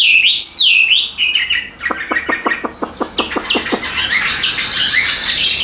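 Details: A tame caged Chinese hwamei with an even voice opens with a wavering whistle, then fires a rapid series of sharp clicking notes before breaking into dense, bright warbling.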